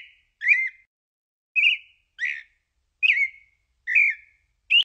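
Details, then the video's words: Pale-breasted thrush (Turdus amaurochalinus) song: short, clear whistled phrases, each slightly different, at intervals of about a second over a silent background. "Canto Passaro Sabia Poca"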